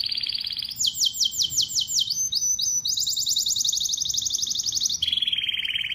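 A canary sings a continuous run of high, fast rolling trills, shifting every second or two into a new, slightly lower or higher repeated phrase.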